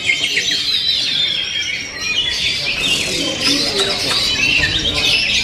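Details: Kacer, the oriental magpie-robin, in steady song: a busy stream of sharp whistles and fast scratchy twitters that barely pauses, with a short dip near the middle and people talking faintly.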